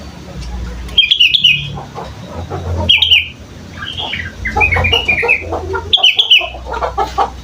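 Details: A juvenile sooty-headed bulbul learning to sing gives repeated bursts of liquid whistled phrases about every two to three seconds, with some softer chattering notes between them and a low background hum.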